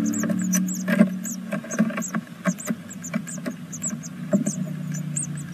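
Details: Second-brood great tit nestlings, six days old, in a camera nest in Veszprém, Hungary: rapid high squeaky peeps alongside frequent sharp clicks and scratching of movement in the nest, with a continuous low drone beneath.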